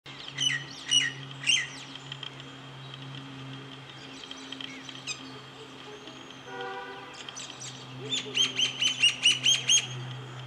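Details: A common myna gives sharp, high chirps and whistles, with a quick run of about eight rising notes near the end. A steady low hum runs beneath.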